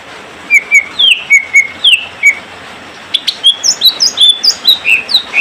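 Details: Greater green leafbird pairing, male with female: scattered sharp whistled chirps, then a quick string of rising and falling notes repeated about twice a second.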